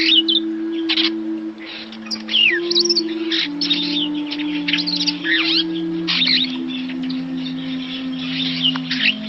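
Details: Bright, jumbled song of an African starling, with swooping whistles, chattering bursts and squeaky rising notes, accompanied by a slow, low electronic melody of held tones changing every second or two.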